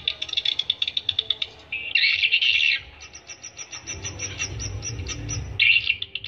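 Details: Swiftlet calls played to attract swiftlets: a run of quick, evenly spaced high chirps, then a buzzy chirring burst, followed by a thin line of fine ticking notes. A low rumbling hum runs underneath.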